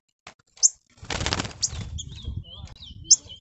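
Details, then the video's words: A captive green-winged saltator, worked up and agitated, gives sharp high notes and short whistled phrases, broken by a burst of fluttering wingbeats. "esquentando trinca ferro, ficou louco"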